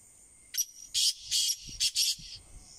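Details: A black francolin gives a grating call of five loud, harsh notes in quick succession, the middle ones longest, over a constant thin high-pitched hiss.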